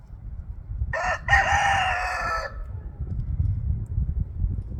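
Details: Crowing contest between roosters, one bird giving a loud crow: a short clipped note followed by a longer raspy, level call of about a second, then low rustling and background noise.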